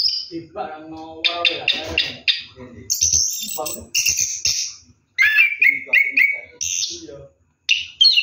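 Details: Orange-headed thrush singing while bathing at night, ngeroll style: a low voice first, then high whistles, buzzy notes and slurred phrases in separate bursts.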